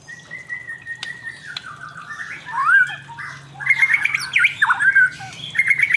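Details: Male white-rumped shama singing: a long steady whistled note, then rich varied phrases of slurred whistles rising and falling, ending in quick repeated chattering notes, with a low hum underneath.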